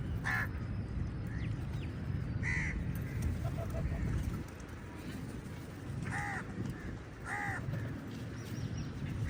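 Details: Many crows contesting food with eagles: several harsh, nasal caws scattered irregularly across the recording, some in quick pairs, above a constant low-frequency roar.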